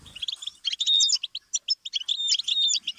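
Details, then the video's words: Goldfinch singing a tutoring stimulus meant for teaching songbirds: a brief pause, then rapid tinkling twitters with drawn-out nasal buzzes and clear whistled notes repeated in quick bursts. "Series of stimuli for the goldfinch"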